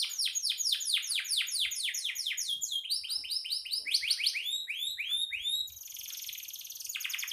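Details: Lively canary song made of fast repeated descending sweeps in rolling tours, changing to wider arched notes midway, ending with a softer sustained buzzy trill.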